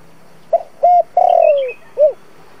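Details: Decoy spotted dove, 'giọng thổ' voice, used to attract wild doves to a trap. A single clear phrase: short note, even hoot, extended buzzy coo dropping in pitch, then a rounded closing hoot.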